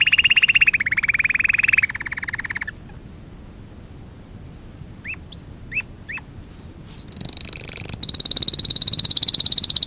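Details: Canary singing for song training: a fast buzzy trill around the middle pitch, a pause with a few sharp rising whistles, then high rapid trills repeated quickly to the end.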